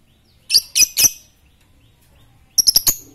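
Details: Fighter lovebird doing ngetik meant to provoke ngekek: a burst of three loud, harsh chips, a pause of over a second, then four faster, sharper chips in a tight run.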